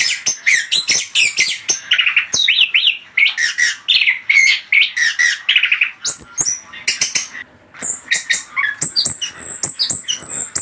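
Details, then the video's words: Anis kembang lure song, long stream of rich chattering notes and trills mixed with sharp high squeaks and slurred whistles, varied and rapid. "SUARA PANCINGAN AMPUH ANIS KEMBANG"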